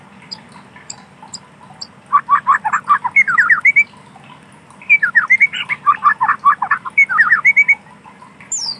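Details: Forest-dwelling wild white-rumped shama giving two bursts of fast, rolling chattering notes separated by a short pause, with scattered faint high chips and a low steady hum throughout.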